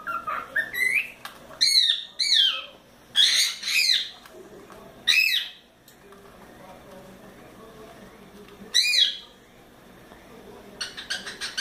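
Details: Playful four-month-old cockatiel kept as a pet, busy in its playground, makes harsh descending squawky calls in irregular bursts, with quiet gaps and a scratchy rattle near the end.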